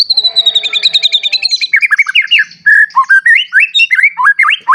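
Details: Singing caged white-rumped shama, played to get other shamas singing: a descending series of high whistled notes, then a fast string of rising and dipping whistles, each repeated about twice a second.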